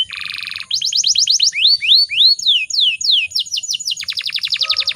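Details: Female canary in breeding condition, used as a lure for singing males: a buzzy harsh opening, then quick chips, rising and falling looped whistles, and a closing burst of fast high notes.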